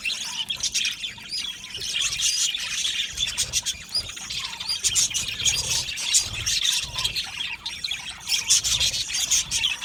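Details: Budgerigar colony in an aviary, chirping and singing: steady high twittering and chattering from many birds over ten seconds, with sharper chirps standing out around the middle and end, and faint low background rumble.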